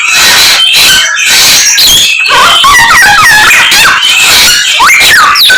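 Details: Hwamei in full song packed with imitations of many other birds, the celebrated '1001 sounds' style; a loud, dense run of varied whistles, slurred rising and falling notes and harsh chattering phrases with barely a pause.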